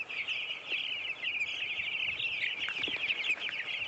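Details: Many broiler chickens in a hatchery raising farm produce an unbroken wall of high, rapid peeping, with countless overlapping chirps and occasional louder individual notes standing out.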